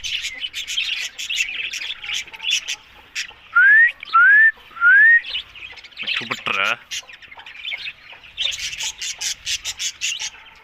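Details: Green ringneck parakeets: dense high chirping chatter, then three clear rising whistles in quick succession, followed by a grating, rasping squawk, with the chatter returning at the end.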